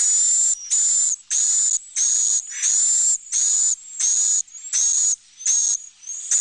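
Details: Roosting call of swiftlets, sounded inside the room where they sleep, nest and lay eggs, comforting them as if many flockmates were near; steady series of loud, high, hissing buzzes with a whistled tone, roughly one and a half per second.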